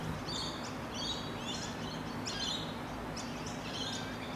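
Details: Rainbow lorikeets in Australia, a bonded pair gently grooming each other; harsh, scratchy high screeches come in short bursts about once a second over a steady low background hum.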